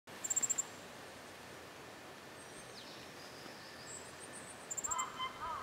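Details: Ferruginous flycatcher: two quick bursts of about six very high, thin ticking notes, several seconds apart, over steady background hiss, with some lower warbled sounds at the end.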